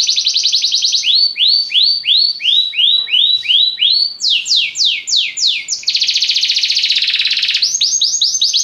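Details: Song of a Belgian canary, called a lazy canary song: rolling series of rising sweeps, a higher run of slides, then a dense buzzy roll before the sweeping notes return.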